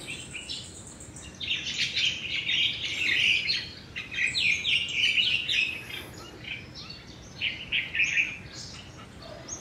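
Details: A crested myna, one of two in the area, mimics other birds, thought to be mostly juvenile yellow-vented bulbuls, in three bursts of varied high whistles and chattering, each a second or two, over a quiet outdoor background.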